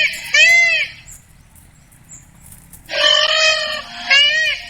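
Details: Indian peafowl calling: a loud, nasal, wailing note with arched harmonics, a quiet gap of about two seconds, then a long blaring call that runs straight into a shorter, similar cry.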